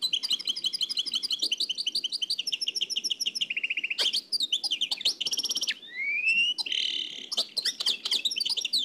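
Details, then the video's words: Nightingale song in the Oued El Alleug style, transferred from an old cassette: rapid trilled phrases of repeated notes, a buzzy stuttering run, one long rising whistle, then sharp chattering bursts. "تغريد واد العلايق نقلته عن كاسيت قديم بصحتكم خاوتي معمر روسينيول"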